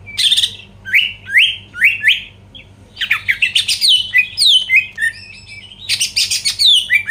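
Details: Greater green leafbird lure song to provoke rivals: a varied run of rising whistled slurs and sharp squeaky notes, some mimicking chatter, delivered in quick bursts with short pauses.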